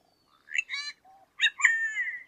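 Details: Solitary cacique giving harsh, nasal, harmonic-rich calls: a short twangy burst, a brief low hum, then a louder drawn-out buzzy squawk that wavers slightly.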